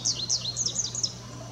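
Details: An American goldfinch gives a brief run of about seven sweet, high, slurred chirps in quick succession, then falls silent, against a low steady hum.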